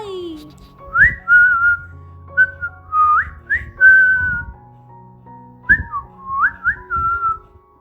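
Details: Baby cockatiels making happy sounds; one young white-faced pearl cockatiel, hungry and asking for food, gives clear whistled notes that swoop up and down while a person talks softly nearby.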